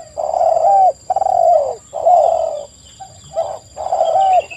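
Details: Spotted doves in full voice for a lure recording: five long, loud blocks of mellow cooing, each sagging slightly at the end, separated by brief quiet gaps, with a faint constant electronic tone in the background.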